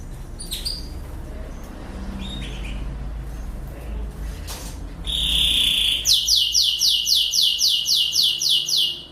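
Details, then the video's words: Master song of a Lancashire canary, an English breed, for tutoring young canaries: faint scattered chirps at first, then a sustained bright whistled note, followed by a rapid steady roll of repeated descending buzzy notes. "Burung Kenari Lancashire Gacor | Masteran Kenari Lancashire"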